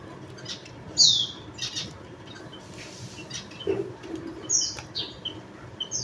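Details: Javan munia chirping: a loud high falling note early on, then more thin downslurred calls, with a brief lower muffled sound in the middle.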